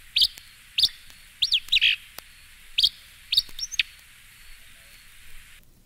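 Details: Acadian Flycatcher giving a series of loud, sharp, explosive high notes, some doubled into quick two-part phrases, repeated roughly every half second to second for about four seconds, then quiet, with a light hiss throughout.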